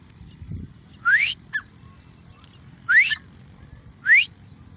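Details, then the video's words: Grey francolin (irani teeter) repeats a bright rising whistled note three times at irregular intervals, with a brief quieter note after the first, over steady low-pitched background noise. "Gray Francolin ||gray Francolin sound|| irani teeter ki awaz"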